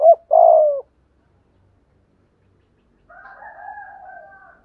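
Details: Spotted dove coo in the "thúc gù" style, played to make wild and decoy doves coo. A quick double note and a falling coo open the clip. After a pause comes a faint, drawn-out, rough, humming note.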